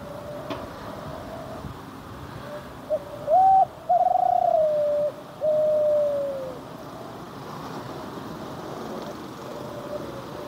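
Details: Spotted dove singing its cooing phrase, described as "deg kuutruuuu kuuuu": a short note, a rising coo, a long drawn coo gliding downward and a final falling coo, over steady background hiss.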